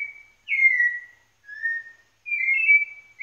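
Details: White-necked Thrush in Pernambuco singing clear, mellow whistled phrases, each under a second, some sliding downward, with short pauses between them; no other sounds are heard.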